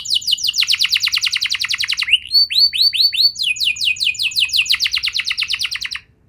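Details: Canary singing to encourage young canaries to sing, a long run of quick repeated high notes that switches to slower swooping upslurred whistles, then back to rapid rolling trills before fading out.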